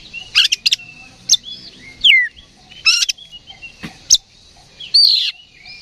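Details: Oriental magpie-robin in fighting mood, singing as a provocation lure. Harsh rasping bursts alternate with a loud descending slurred whistle and brief squeaky notes over a faint low hum.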